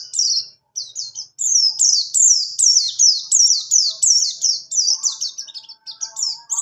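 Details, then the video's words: Buxtoni white-eye in rolling ngerol song, kept for tutoring other birds: quick continuous string of high downslurred whistles, roughly three per second, after a short opening phrase, with a few soft low notes in the background. "pleci buxtoni Ngalas ngerol cocok sekali untuk#masteran burung#terapi burung pleci macet bunyi."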